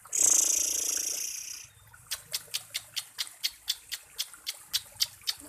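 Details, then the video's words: Baby lovebird, active: a loud hissing rush for over a second, then short high chirps repeated about four times a second. "Love bird Baby aktiv Pancingan untuk LB baby"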